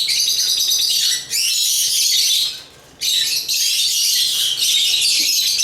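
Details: African lovebirds (Agapornis) chirping and singing: dense, shrill, high-pitched chatter in two long bursts separated by a brief pause near the middle, with a short dip early on.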